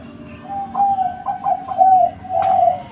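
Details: Zebra dove cooing song: a run of soft, clear, rippling coos at a steady mid pitch. The notes are linked by quick little stutters and end in a longer, smooth coo, over a quiet low hum.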